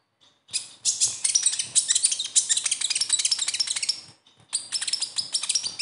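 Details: Sunbird besetan song, played to get a captive konin singing: long, fast, scratchy twittering of high jumbled notes, broken by a brief gap before another energetic burst.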